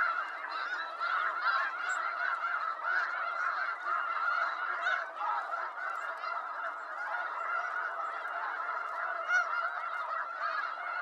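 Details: A snow goose flock in eastern North America keeps up a steady roar of overlapping honks, with individual yelping notes popping out of the chorus every fraction of a second.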